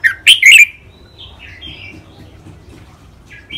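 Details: Red-whiskered bulbul kept in a cage in Thailand, trained in 'rik', 'bernl', 'lak wai', 'mae bot' and 'nap dok' singing: a sharp burst of three loud, rich whistled notes, then faint descending warbles.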